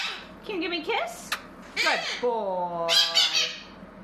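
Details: Blue-crowned conure kept as a pet, making mimicked talking sounds and squawks indoors: wavering voiced syllables, a sharp click, a downward-sliding screech, then a steady harmonic note and a harsh burst.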